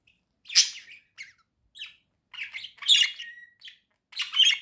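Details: Two pet budgerigars singing cheerfully indoors: separate chirpy, scratchy bursts high in pitch, a loud rasping note first, then short tweets and chattering phrases with brief pauses between them.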